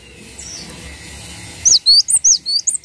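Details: Vigorously singing cinereous tit used as a tutor recording for songbirds; after a quiet stretch with faint hiss and a soft higher note, a burst of sharp, high-pitched upswept whistles follows in quick succession.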